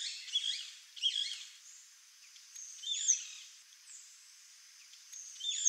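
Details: Sayaca tanager giving short bursts of squeaky, jumbled high notes, each burst under a second long and spaced a couple of seconds apart, with sharp thin accents between them.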